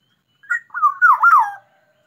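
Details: Black-naped oriole, a songbird ready for contests, delivering one mellow whistled phrase: a quick opening note, then smooth rolling whistles that rise and drop before trailing off, against silence.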